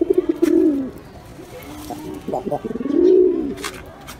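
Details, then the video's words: Pigeon cooing: a rolling, low coo at the start, then a pause with soft stuttered notes, and a second swelling coo rising and falling near the end. "Gerçek Güvercin Sesleri"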